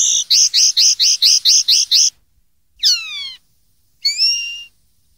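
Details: Common linnet song from a 2013 tutoring recording for young birds to copy: a rapid run of about nine repeated ringing notes, then a long descending whistle and a slurred, falling buzzy phrase, with no other sounds.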